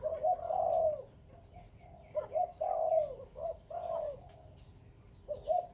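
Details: Khmer and Malay breeding spotted dove cooing: a long wavering coo, then quieter gaps, then rising paired notes leading into further drawn coos. Faint chirps from other birds are heard in the background.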